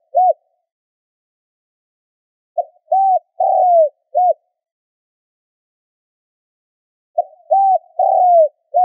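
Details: Spotted dove lure call, used to attract wild birds: three phrases spaced a few seconds apart. Each phrase has a clipped opening note, a rounded coo, a long sliding coo and a short final coo. No other sounds.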